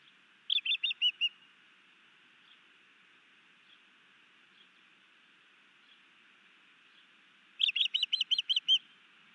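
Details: At a Hellgate Canyon osprey nest in Missoula, Montana, May 2019, a new male sky dances and delivers a fish to his mate: a short burst of shrill chirps, a long quiet pause, then a second, longer burst.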